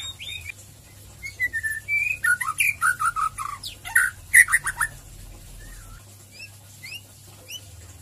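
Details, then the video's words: White-rumped shama singing in the ngeriwik ngeplong style, used as a lure to get other shamas singing. Varied loud whistles, slurred notes and quick chirps come in a dense burst midway, then fade to sparse rising whistles over a low hum. "Murai Batu ngeriwik ngeplong Pancingan Cepat Murai Batu Bikin gacor ngeplong"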